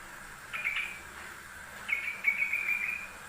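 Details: Yellow-vented bulbul master recording for training birds: two brief bubbly phrases of clear, slightly warbled whistles, separated by a second of quiet, over faint steady background hiss.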